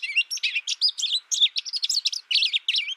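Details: Three seconds of lively twittering from a young, isolation-reared American goldfinch tutored by recording: tightly packed high chirps and wavering slurred notes in quick succession.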